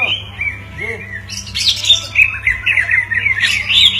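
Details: Pair of greater green leafbirds singing back and forth, with whistled slurs, sharp squeaky notes and fast tumbling warbles in a lively, irregular stream over a faint constant electrical hum.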